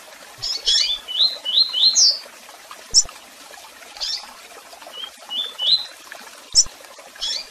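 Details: Double-collared seedeater in tui tui song with chirps and calls: harsh chattering chips lead into a run of rising whistles, followed by scattered high chip notes and a softer whistled series.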